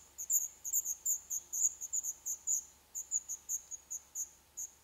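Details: Black redstart nestlings in a nest inside an old furnace pipe of a building due for demolition in Poland, on the eleventh day: thin, very high chirps repeated about four times a second in an uneven series.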